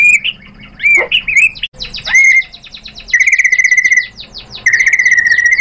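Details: Provoked into replying, a white-rumped shama mixes rich looping whistles and a sharp downward slur, then delivers long fast trills of rapidly repeated, evenly spaced notes.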